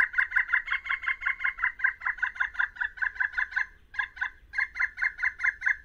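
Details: A Pileated Woodpecker, a backyard bird present in winter, gives its vocalization: a loud, ringing series of quick, even 'kuk' notes, about five a second, broken by brief pauses, with a faint low rumble beneath.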